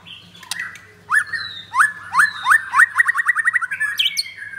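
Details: White-rumped shama of the blorok variety, a caged bird at a Kemayoran, Jakarta kiosk, singing briskly: sharp rising whistled notes repeated in a quickening series, with clicks and a faint electrical hum behind.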